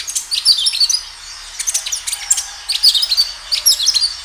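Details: Actively singing kinoi, recorded as a lure to make other kinoi respond: dense clusters of shrill, high-pitched twitters and squeaky chirps, repeated in quick phrases with brief pauses.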